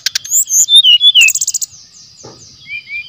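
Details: Brown-chested jungle flycatcher, a lively singer used as a lure: quick buzzy trills, then sliding whistles falling and rising, then a rapid burst of high sharp notes, with a steady thin high hum behind.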